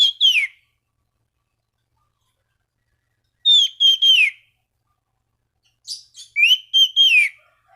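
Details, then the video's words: Orange-banded thrush in lively song to draw out rivals and make other thrushes sing: three phrases of falling and rising whistles mixed with rough, scratchy notes, separated by pauses of several seconds. "Anis Cendana Gacor MEMANGGIL LAWAN Pancingan burung anis lain agar berkicau"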